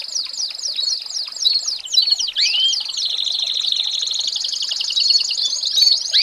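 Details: An American singer canary sings as a tutor for young birds. A run of arcing, slurred whistles leads into a sustained, buzzy, even trill.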